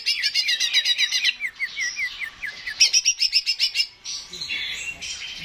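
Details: Greater green leafbird (cucak ijo) song for stimulating birds to sing: rapid stuttered high notes repeated about four per second, then slurred downward whistles and a second fast trill, with varied chattering phrases.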